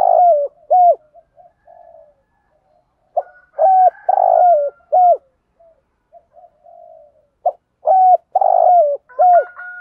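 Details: Spotted dove cooing to stimulate decoy doves: the 'thúc gù' urging coo and 'gáy gọi' calling coo. Low, soft hooting coos in short paired and triple phrases with quiet murmuring notes between, bursts every few seconds.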